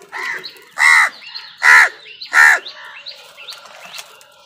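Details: During a fight with other birds over food, a crow gives three loud, rasping caws about a second apart, with faint twittering of smaller birds behind.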